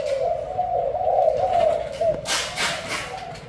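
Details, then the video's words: Thai-type spotted dove with white heart and black neck-collar markings giving a booming 'bo' style coo: a low, rolling, wavering coo phrase for about two seconds, then a burst of broadband noise and faint further cooing. "Cu gáy thái tim trắng cườm đen bo đùng đùng"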